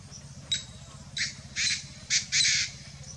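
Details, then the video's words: A painted francolin gives five harsh, grating, screechy notes in about three seconds, the later ones longer, over a low steady hum. "Francolins video with Calls || Desi Tittar Call || रंगीत तित्तर"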